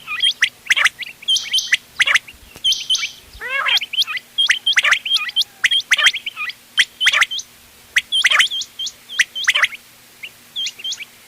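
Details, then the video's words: A mix of quail calls used for hunting, with the ghonge wal, dogla and changa types, from 31 October 2025: dense, crisp, upward-flicked whistles repeat roughly every half second from several overlapping birds, with one brief, lower, wavering call. "گھونگے وال دوغلا چنگا بٹیروں کی مکس آواز quail bird sounds for hunting bater ki awaaz"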